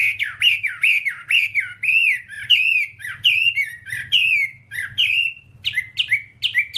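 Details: Caged-bird tutor track of Whambie song: a lively, irregular stream of loud slurred whistles, swooping up and down, with short breaks between bursts and a faint low rumble behind.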